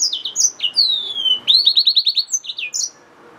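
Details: Yellow-fronted canary mule, a hybrid finch, singing high clear notes, a long descending whistle, then a fast run of about eight repeated rising chips and a few closing twitters.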